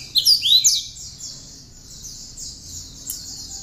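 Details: Hand-reared, tame cinereous tit in full chattering voice, used to coax and teach other cage birds; quick bright whistles rise and fall in one brief phrase, then give way to continuous high-pitched buzzing background.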